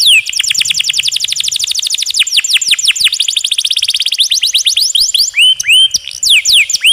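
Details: Long-rolling canary song from a master recording with a trickling-water effect: an extended, rapid series of steep downward-swept notes that slow and spread out, closing with loud rising-then-falling whistled slurs.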